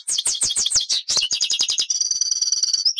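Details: European goldfinch song: quick repeated tinkling notes roll into an evenly spaced trill, then a sustained, steady, bright whistled note at the end.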